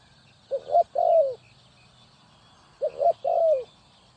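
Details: Spotted dove calling, used to lure birds for trapping: two phrases of short stepped coos closing with a drawn-out falling note, about two seconds apart, faint chirping in the background.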